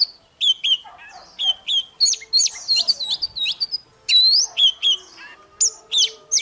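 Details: Oriental magpie-robin singing its fighting song at dawn to provoke other magpie-robins into song: clear, ringing whistles, some sharply rising or sliding, mixed with crisp chips, delivered in lively phrases.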